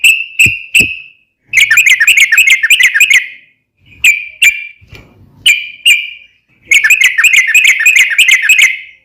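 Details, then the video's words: Yellow-vented bulbul singing actively, used as a daily training recording for cage birds: short bursts of rapid bubbly chattering notes, with separate clear whistled notes between bursts, some brief silent gaps. "KICAU SUARA trucukan gacor KHUSUS BUAT MASTERAN HARIAN menjadikan burung trucuk gacor NYAUT SEKETIKA"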